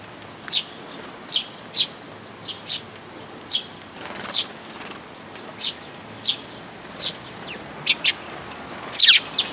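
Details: At a Tenmangu shrine on 14 May 2022, a sparrow gives short, high single chirps roughly every half to one second, steady and evenly spaced, ending with a louder double note; light hiss behind.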